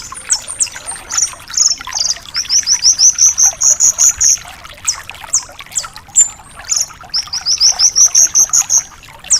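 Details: Vigorous Javan bush lark song used as a tutor for young birds: very high chirps leading into long rapid series of repeated sharp notes, about two to three per second, with brief whistles between, hissing noise behind.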